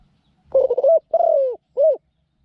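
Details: Newly kept caged decoy Spotted Dove, said to have a small voice and coo readily, used to lure wild doves into a trap cage; a stuttering low coo run, then a drawn-out falling coo and one short final coo.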